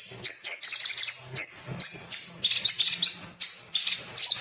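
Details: Little spiderhunter, male, in a lure recording meant to prompt other birds to sing: loud, piercing, high chirps and short chattering runs, repeated in rapid bursts with short breaks.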